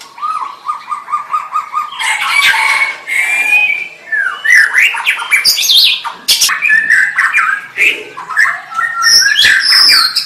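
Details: White-rumped shama song opening with a steady run of low repeated notes, then a long, varied stream of whistles, buzzy trills and sharp clicks.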